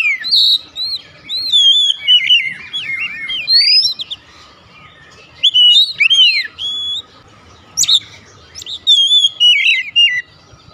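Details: Loud 'nembak' singing of an Oriental magpie-robin: clear upward and downward slurred whistles mixed with chattering notes, in several phrases separated by short pauses.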